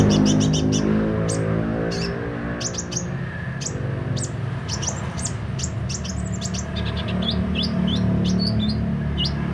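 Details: Kolibri ninja sunbird in active song: dense strings of very high, sharp chirps and short slurred notes almost continuously, low hum beneath.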